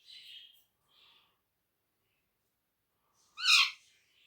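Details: Talking pet rose-ringed parakeet, said to speak Urdu and Hindi, giving one loud, grating, rising call near the end after two soft, brief scratchy notes, with quiet gaps between.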